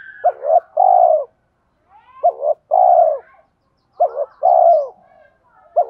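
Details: Spotted dove kept for luring, deep thổ-style voice: three phrases of a double short note and a long falling coo, evenly spaced, with faint bird chirps behind.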